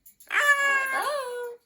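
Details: A pet Amazon parrot, prompted repeatedly by its owner to "say hello", answers with a drawn-out, two-part "hello" in a clear, nasal voice; the second syllable dips, rises, then trails off.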